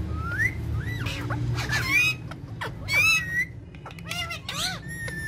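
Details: Talking parrot family members having fun together on a charpai. Rising whistles and harmonic squawky calls come in bursts, mixed with clicks and scratching, over a low hum.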